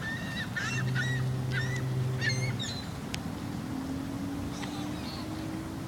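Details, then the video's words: Gulls calling on a sunny day with Quebec City in the distance: a series of short, nasal, repeated cries in quick bursts over the first three seconds, then fainter calls, above a steady low hum. "Sunshine n seagull"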